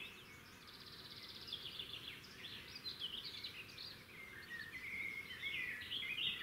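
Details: Red-backed shrike at a nest in the wild beside a road: fainter rapid scratchy chatter and short squeaky notes, growing louder toward the end over constant low rumbling noise.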